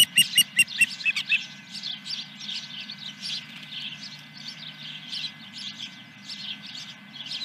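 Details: Osprey calling at its nest on the morning of 10 July 2021: a burst of loud, high, piping whistles that opens the recording, then softer chattering notes that fade into a steady background hum.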